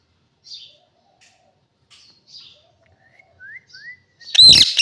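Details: Parrot giving soft scattered chirps and two clear rising whistled notes, then a sudden loud, harsh squawk at the end.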